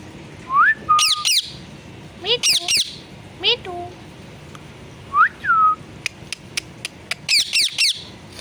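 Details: Parrot mimicking words such as 'mummy papa' and 'sitaram': rising and falling whistled voice-like syllables mixed with clusters of shrill descending squawks and a few sharp clicks.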